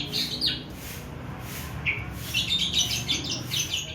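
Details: Javan pied starling learning to sing, giving scattered high chirps and short whistled notes, some rising, in loose bursts over a low background hum.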